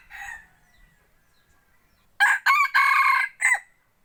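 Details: Selected hunting decoy rooster crowing: a brief faint call, a pause, then a loud crow in four choppy harsh bursts over about a second and a half, the last one rising and falling.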